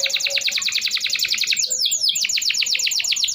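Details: Canary song used as a lure to prompt canaries that have stopped singing: a fast rapid trill of high repeated notes, shifting midway into a tumbling series of rising and falling whistled slurs, then another quick rolling trill.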